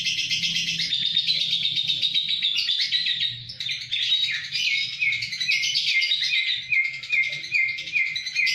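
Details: Kept lovebird singing in Kedungadem, Bojonegoro: a continuous high chattering stream of rapid chirps and twittering trills, with short repeated notes in the second half and no pause longer than a moment.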